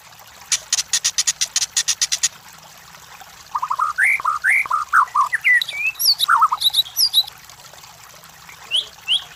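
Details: Lure recording of White-rumped shama song for competition birds: a fast series of sharp clicking notes, then a pause, then varied rising and falling whistled phrases with high thin accents, trailing off into sparse notes.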